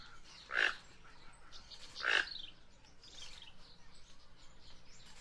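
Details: Guianan toucanet uttering two loud, gruff croaks roughly one and a half seconds apart, followed by softer, quieter notes in the background.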